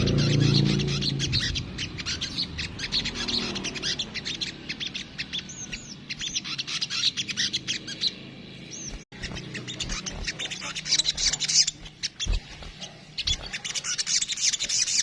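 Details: Kemrecet-style song of a crimson sunbird (sogok ontong): quick high-pitched chittering and short sharp notes running for fifteen seconds with brief pauses, a short dropout near the middle, and low background noise early on.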